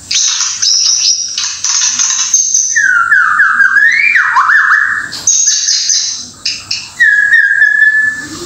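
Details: White-rumped shama from Indonesia giving harsh high scratchy notes, then a flowing series of descending whistled slurs, a short break, and further high and mid whistles.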